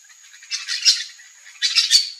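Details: Yellow-chevroned parakeets (Brotogeris chiriri) at backyard fruit in Brazil give two bursts of harsh, shrill, chattering screeches, each lasting about half a second; a faint steady high hiss runs underneath.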